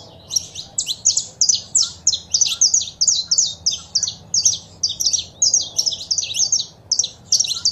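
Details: Saffron finch (canário-da-terra), male song and female chirps intended to stimulate a caged bird. Continuous rapid high chirps in rhythmic bursts, nearly unbroken throughout, above faint low hum.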